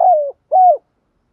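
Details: Decoy spotted dove calling in the early morning to lure wild doves: two low, hoarse coo notes about a fifth of a second apart, the first sliding downward, the second arched. Background is otherwise silent.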